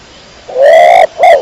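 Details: Single pigeon coo, a long smooth note rising slightly and holding steady, followed by a shorter second note, rich with overtones and little background.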